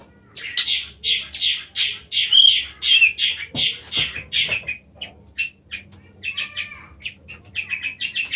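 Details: Caged kacer, or Oriental magpie-robin, delivers a long series of harsh, rasping notes repeated about twice a second, later shifting to quicker, thinner chips and short whistles.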